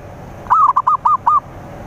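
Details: A single zebra dove phrase meant to lure rivals: five quick, soft, hollow cooing notes in under a second, the first longer and wavering, the rest short and evenly spaced.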